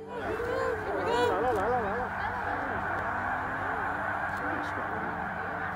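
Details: A large flock of migrating Snow Geese at Middle Creek Wildlife Management Area, an early-spring staging area, in 2022, gives a dense, continuous chorus of nasal, barking honks that overlap at a rapid pace, with a faint background rush.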